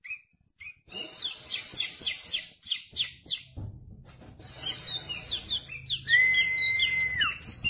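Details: Tame bar-winged prinia of the crystal variety singing vigorously with rich varied fill notes: fast series of sharp upslurred chirps, several runs of quick repeated notes, then a long flat whistled tone that drops at the end, with low background hum.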